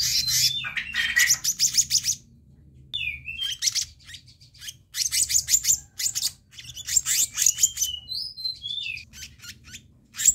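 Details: Black-naped monarch in a recording meant to draw in and train birds. Repeated bursts of fast, buzzy, scolding notes are broken by short pauses and a few whistled downslurs.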